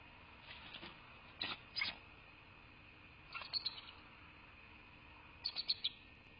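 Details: Bald eagles at their nest in southwest Florida, evening of 2 January 2024; spaced clusters of high, thin squealing chitters, two short bursts then two groups of rapid piping notes, with constant low hiss behind.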